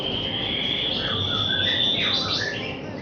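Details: White-rumped shama song for young birds ahead of a contest: a long sustained high whistle runs throughout, overlaid by short lower whistled notes and a quick descending flourish near the end.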